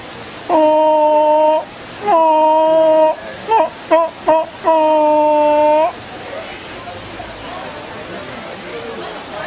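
Hornbills trade nasal, reedy honks: long level notes about a second each, with a quick burst of short yelps between, over a steady rush of water.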